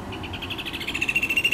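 Rufous Hornero giving a fast, shrill run of repeated notes at a high, steady pitch that grows louder and more clipped toward the end.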